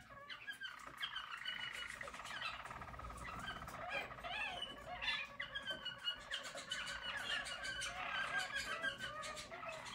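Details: Yellow German Roller canaries of the Harz type, sung as a team in 2022, pour out an unbroken stream of warbling rolls and bubbling trills with rising, gliding tours.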